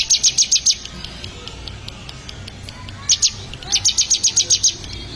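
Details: Bar-winged prinia (ciblek), a bird being trained to sing: bursts of fast, high, sharp chip notes repeated about four per second, with a pause between bursts, over a faint low hum.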